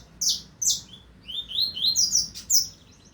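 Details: Coleiro, or double-collared seedeater, from the 2025 season: two sharp high notes, then a fast chain of rising, buzzy slurs climbing higher and ending in bright downslurred notes, all in about three seconds.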